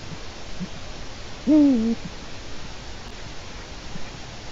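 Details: Eurasian eagle-owl on a Latvian webcam, afternoon of 4 March 2018: one clear, slightly rough call lasting about half a second, quickly rising then bending downward, alone against steady low noise.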